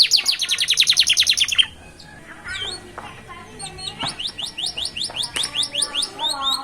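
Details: Young canary chick starting to sing at a roadside: a fast, high trill of falling notes, a brief pause, then varied chirps and bright repeated notes at a quick pace.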